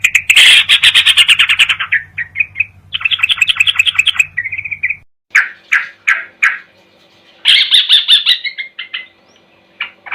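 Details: Spliced sooty-headed bulbul training recording for songbirds at night: loud rapid chattering bursts alternate with quick trills and separate sharp notes, with abrupt cuts between segments and a low hum in parts.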